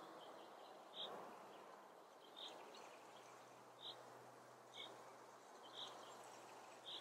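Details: A western osprey eating a crucian carp in the Eifel, Germany, gives short, high, thin chirps spaced a second or so apart, over a steady background hiss and faint low hum.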